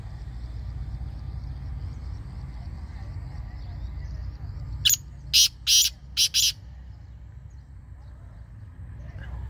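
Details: Black francolin calling: a quick burst of four harsh, rasping, broadband notes near the middle, the second and third longer than the others, over a steady low rumbling hum.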